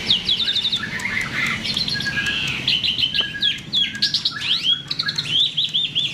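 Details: A myna singing steadily, offered as a lure to make other birds sing: continuous varied phrases of fast repeated whistles, short trills and upswept chirps, loud and busy throughout.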